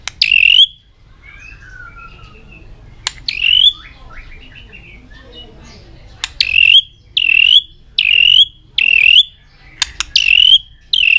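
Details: White-rumped shama in full singing form, tail flicking constantly during competition song: loud, clear whistled phrases that swoop up then curl down, repeated roughly once a second after a quieter stretch of soft warbles and sharp clicks.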